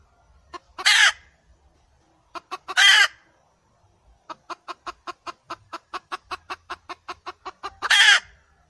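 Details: Wild red junglefowl hen: loud harsh squawks about two seconds apart, then a fast even run of about twenty short clucks before another rasping squawk; quiet background.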